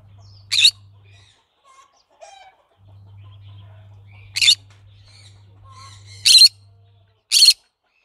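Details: Four abrupt, buzzy shrieks from a green-cheeked conure, irregularly spaced over eight seconds, the last two louder; low hum and soft distant twitters in between.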